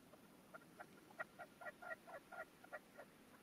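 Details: Caged decoy red-legged partridge at its first hunting post, singing loudly to attract wild partridges; rapid run of hard, clucking notes, some doubled, tumbling at roughly two per second against faint background noise.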